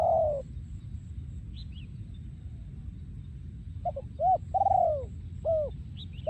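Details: Breeding male spotted dove in Thailand, 2023, yon ku ang style: a falling coo opens, then after a pause a phrase of short coos, a long descending coo and an arched final note, over constant low rumble.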